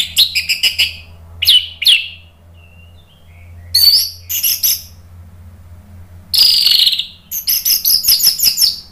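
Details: Orange-headed thrush lure song aimed at making other birds answer: clusters of quick, high chirping notes separated by brief pauses, some bursts rich and buzzy, others rapid and stuttering.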